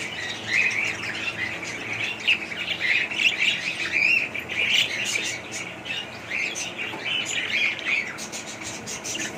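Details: Budgies in continuous chirping chatter, overlapping high warbled notes and squeaky tweets forming a busy, unbroken stream of calls.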